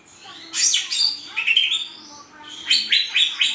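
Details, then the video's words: Cucak ijo, a kept songbird, singing loud bright phrases: a burst of sharp high notes, a slurred whistled glide, then a run of rapid chattering notes after a short pause. "#cucakijo #kicaumania #burung #hijau"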